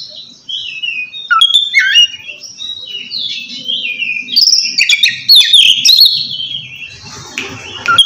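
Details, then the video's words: Oriental magpie-robin ngeplong song, calling out to a rival: a sequence of short whistled slurs rising and falling, then louder scratchy notes, over a faint low hum. "suara kacer ngeplong memanggil lawan cocok buat mancing kacer malas bunyi"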